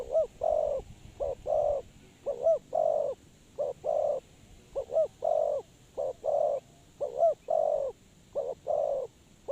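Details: Spotted dove kept as a trapping lure, producing continuous low, mellow coo phrases, hooked notes alternating with short and sustained coos, close and loud throughout.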